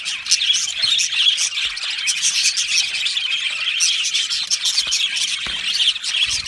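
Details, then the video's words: Many budgerigars in an aviary, chirping and singing at once: a thick, scratchy warble of high chirps, squawks and fast twittering notes, continuous for the whole stretch. "Beautiful Budgie singing and chirping sounds"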